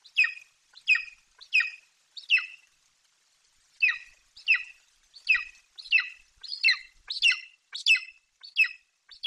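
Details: Young golden eagle in Bucovina, branching in its nest tree on 28 July 2021, screaming with excitement as its mother flies in carrying a Eurasian magpie; high, harsh squealing calls repeated about every half second, roughly thirteen in a row.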